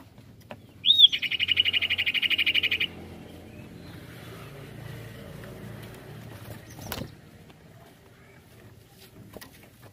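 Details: Sirtu song used as a lure to provoke other birds into singing, in a rolling style: a rapid buzzy trill of evenly pulsed notes lasting about two seconds, followed by quiet background hum and a sharp click.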